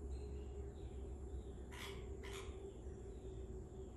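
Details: Red-vented bulbul; begging call; chick begging for food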